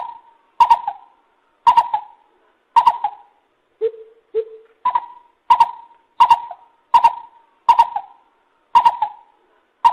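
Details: Lesser coucal (Centropus bengalensis) call: hollow, hooting notes about once a second, with two deeper, softer hoots midway; sharp clicks mark each note's start.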